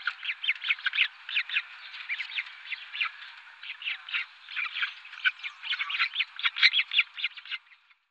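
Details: Western swamphen (Porphyrio porphyrio), an Iberian bird, gives harsh, nasal cackling notes in quick irregular bursts, mostly mid-pitched, with no other sounds standing out.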